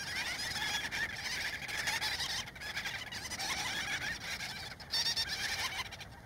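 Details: Gull-billed Tern breeding colony in central Spain, adults frantically feeding chicks, with some aggression between birds: a dense din of harsh, nasal calls overlapping without pause into a steady colony chorus, recorded from a distance.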